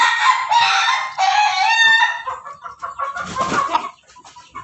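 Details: An Ayam Ketawa rooster at home, bathed so that it will crow longer, crows with a strained opening that breaks into rapid, stuttering, laugh-like notes.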